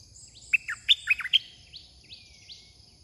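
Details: Caged Red-whiskered bulbul used as a decoy to lure wild birds, singing a short burst of loud, sweet whistled notes in a quick phrase, followed by softer rising chirps, over steady high insect hiss.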